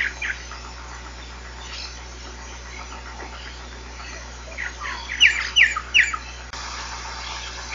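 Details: Giant cowbird, known as xexéu bico de osso, singing: after faint scattered calls comes a rising cluster of notes and three loud, sharp, descending whistles in quick succession.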